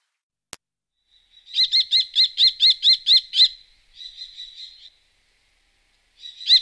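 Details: Common kestrel recorded in Wittlicher Tal in 2018: a single click, then a run of eight sharp, ringing kee notes, followed by a softer, quicker chatter and the start of another call at the end.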